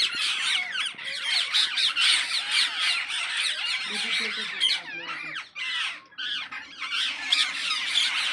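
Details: Wild parrots in a noisy flock: dense continuous harsh screeching and squawking calls overlapping, rising and falling, with faint human voices beneath.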